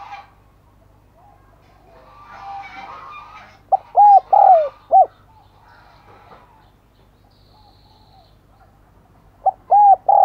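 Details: Spotted dove kept as a decoy, cooing to lure wild doves: a four-note phrase with a short first coo, two longer slurred coos and a clipped final note, the phrase returning at the end, with soft chattering birds beforehand.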